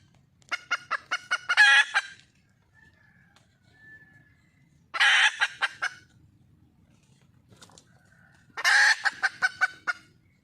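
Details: Junglefowl hen, wild, calling to attract a male; three bouts of short sharp clucks each ending in a coarse, noisy cackle, separated by pauses of a few seconds, with faint low rumble between.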